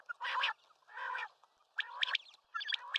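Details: Common quail calling: two groups of sharp, quick high notes in the second half, following broad rasping bursts near the start.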